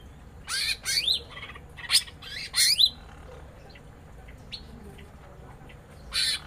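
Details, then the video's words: Caged female greater green leafbird trading calls with a male during papaya feeding in a mini aviary; loud harsh squawks and sweeping whistled notes in a burst, then quiet gaps and a final squawk. "Suara burung cucak ijo betina sedang makan pepaya"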